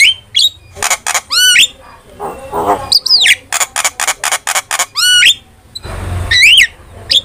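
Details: Starling lure and master song for training: a mix of squeaky whistled upslurs, harsh rasping bursts and a quick series of clipped buzzy notes, with a brief rougher noisy patch near the end.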